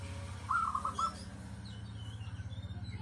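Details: One short, broken phrase of clear coos from a local zebra dove with a 'crystal' voice kept as a lure, followed by a low, pulsing background rumble.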